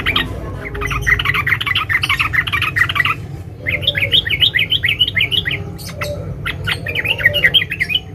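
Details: Female sooty-headed bulbul calling a male: three runs of quick, rising chirps packed tightly together, each a few seconds long, with a faint hum behind.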